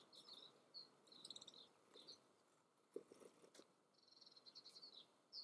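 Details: In the Eifel, Germany, a yellowhammer sings high, thin, rapidly repeated notes in quick runs, one run ending on a brief higher note. A few soft knocks sound in the background.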